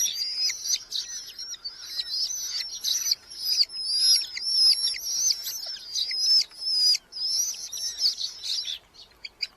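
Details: Red-footed falcon chicks, a brood in a colony nest box in Hungary, mid-July 2025, parents delivering beetles; long run of piercing high squeals pulsing about twice a second, fading near the end.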